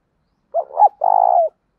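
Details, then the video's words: A single loud phrase from a decoy spotted dove calling to stimulate wild doves: brief doubled hoot, a short gap, then a long, steady, vibrating coo, recorded cleanly. "tiếng chim cu gáy mồi thúc và gáy gọi giọng to và rõ"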